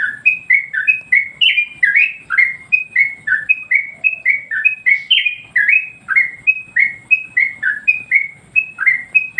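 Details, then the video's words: Yellow-vented Bulbul song used as master training material for other birds: a steady stream of sharp, descending whistled notes, some doubled, pouring out without a break for over nine seconds. "masteran burung Trucuk bikin emosi burung yang lain"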